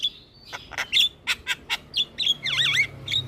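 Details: Jalak kebo or Javan myna singing gacor: a run of sharp clicks and chips, then a burst of looping, wavy whistled notes rising and falling, over a faint low hum.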